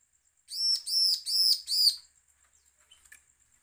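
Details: Threatening bar-winged prinia call, used to provoke other prinias into calling: four evenly spaced harsh, buzzy notes, then quiet apart from a faint short chirp.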